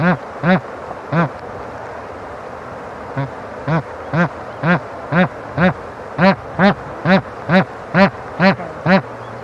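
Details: Repeated nasal honks from a bar-headed goose: a few calls, a brief pause, then a faster run of about a dozen evenly spaced, rich, slightly downslurred notes against low background noise.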